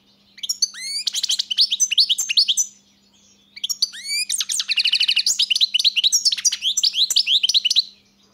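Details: Two long phrases of European goldfinch song, each a bubbling, fast-paced chatter of high rising chirps, the second including a rattling buzzy passage; low constant hum audible.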